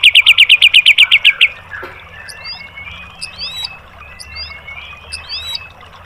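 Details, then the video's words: White-rumped shama masteran for caged-bird training: a quick, loud series of about ten sharp, evenly spaced notes, then quieter, scattered thin, curling whistles. "MASTERAN MURAI BATU"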